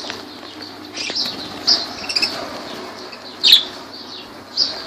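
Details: Kirkuk lovebirds at Laylan: a few scattered high squeaks, with a louder harsh chirp past the middle and rustling in the background.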